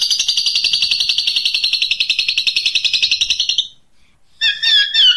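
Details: Long-tailed shrike singing in the 'tembakan unik' style, recorded as a training song: a fast, even, buzzy rattle of high notes for over three seconds, a short pause, then harsh, squeaky, chattering notes.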